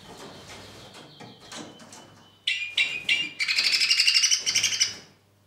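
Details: Two-barred crossbill singing in the current weather: faint chatter at first, then a few sharp notes followed by a rapid trilled series of bright buzzy notes, about three a second, ending abruptly.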